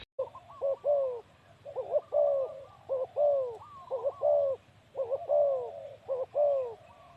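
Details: Male spotted dove used as a ground decoy, cooing steadily: paired phrases of a short clipped note and a longer, mellow, slightly falling coo, repeated about once a second, over a low background hum.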